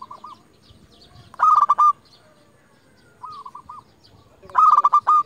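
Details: Local zebra dove singing as a lure to call rivals: two loud, stuttering bursts of rapid cooing notes, each about half a second, separated by softer, rolling coos at the same pitch.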